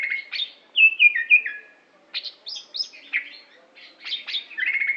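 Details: Aceh greater green leafbird, a prize-winning songster from Indonesia, delivering bright whistles that step downward in a short series, then bursts of high scratchy chatter and a final sustained whistle, loud and clean against silence.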